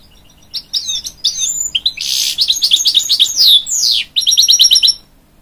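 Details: Canary-goldfinch hybrid singing to encourage its young chicks, a continuous high, rapid twitter mixing buzzy passages, falling whistled sweeps and fast repeated trilled notes.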